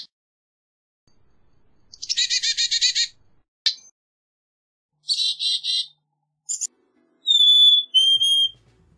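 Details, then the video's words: Black-capped chickadee: a rapid series of buzzy 'dee' notes, then a short burst and a brief raspy phrase. It ends with two clear, pure whistled notes, each sliding slightly downward. "Black-capped Chickadee Song! Black-capped Chickadee Call! Black-capped Chickadee Sound!"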